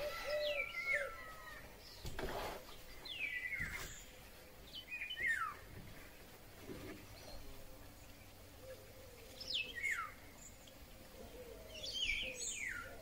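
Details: Eurasian golden oriole song recorded in May 2020, with other birds audible: short fluty slurs falling in pitch, given every second or two among scattered calls and occasional low cooing.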